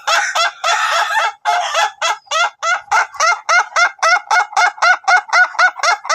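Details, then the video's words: Laughing chicken of the Ayam Ketawa long-duration type, in training to extend its crow: a dense, fast run of bright laughing notes, blurred and busy at first, then settling into evenly spaced syllables near four per second. "CARA AGAR AYAM KETAWA TYPE DURASI KOKOK PANJANG"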